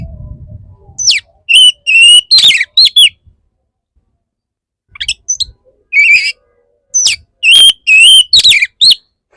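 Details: Oriental magpie-robin, a male wooing an agitated female, sings dense runs of loud whistles, warbling slurs and sharp upsweeps, one quiet gap midway, with faint low noise at the start.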